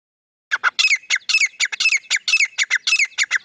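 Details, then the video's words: Grey francolin, a male and female pair, calling in loud harsh squawking notes, a rapid run of short bursts roughly every quarter second, each with a sharp rising stroke near the top; otherwise quiet background. "Madi Grey Teetar ki Awaz | Teetar ki Boli Partridge Female and Male Sound | Grey Francolin Voice"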